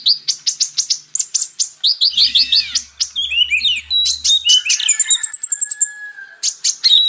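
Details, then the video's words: Purple-throated sunbird (kolibri ninja) song mixed with magpie robin song as a training track for captive birds: fast, high, sharp chips in rapid series, with a buzzy burst, twittering runs and a thin trill. "MATERI KACER X KONIN (Kolibri Ninja)"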